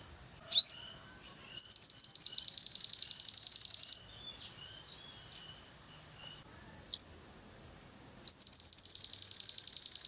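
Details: Long-tailed shrike used as a lure to rouse other shrikes into singing. A brief rising squeak, then a harsh, buzzy, rapidly pulsed high chatter lasting about two seconds, a lone sharp note, and another long rattling burst in a quiet background.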